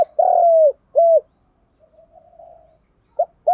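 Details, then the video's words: A spotted dove, recorded to spur birds to coo quickly, ends one phrase with a long falling coo and a short hoot, murmurs softly, then starts the next phrase with clipped hoots. "Tiếng Chim cu gu gáy kích bổi nhanh nổi"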